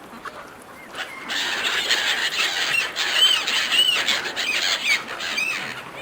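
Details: Seagulls fighting over offered food: after a quieter first second, a rush of broad noise carries many short, high, curling squeals from several gulls, repeated rapidly and irregularly.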